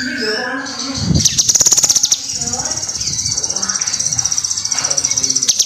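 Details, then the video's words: Kinoi singing energetically, recorded for training other birds: a sustained, very high pulsed trill runs throughout, broken by a burst of sharp rapid clicks early on, with faint lower chirps beneath. "SUARA BURUNG KINOI GACOR"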